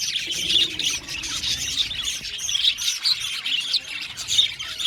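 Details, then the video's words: Budgies singing in an aviary colony, a continuous scratchy warble of many birds with occasional sharper chirps standing out. "Parakeet sound | budgies singing and chirping sounds"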